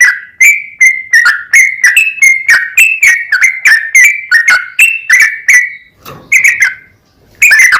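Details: Singing yellow-vented bulbul, recorded as a lure for other bulbuls: a long run of ringing whistled notes, each opening with an abrupt sweep, followed by a short gap and a fresh burst.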